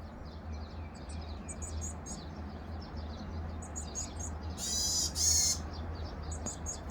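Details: Varied tit feeding nestlings, 2 May 2023: thin, very high chirps in quick irregular bursts, with a louder hissy, rasping burst midway, over a steady low hum.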